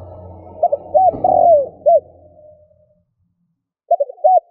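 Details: Low, hollow cooing of a spotted dove, played to rouse a decoy dove into calling: one full phrase of clipped notes, a long slurred coo and a final note over a low rumbling hum, then another phrase beginning after silence.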